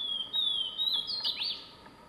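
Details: Swainson's thrush in the wild giving a brief flute-like phrase of gliding whistled notes that rises and ends in a quick upward flourish, backed by a steady high whine.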